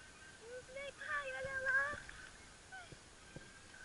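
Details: Black swan during its mating dance giving a series of soft, nasal, honking calls with a wavering tone, clustered over about a second and a half, then a few faint scattered notes.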